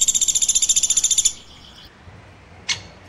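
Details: Rapid high chirping trill from a woodpecker, roughly a dozen pulses each second, lasts just over a second before stopping; later one sharp click is heard.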